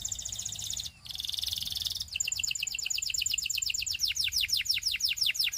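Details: Russian singing canary, a special singer meant to seduce other canaries, delivering a dense buzzy trill, a brief pause, a second trill, then a fast run of descending sweeping notes that grows louder and quicker.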